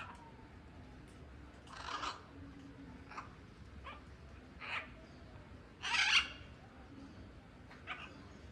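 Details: Free-flying blue-and-yellow macaw giving harsh, raspy squawks, four or five spaced irregularly over eight seconds, the loudest near the middle, over a steady low background rumble.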